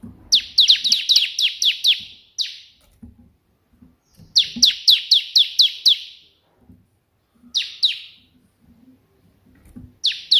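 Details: Ciblek (Bar-winged prinia) in its tembakan perenjak putih song: bursts of seven to nine shrill, down-slurred notes, the first near two seconds long, separated by quiet gaps with faint taps and clicks.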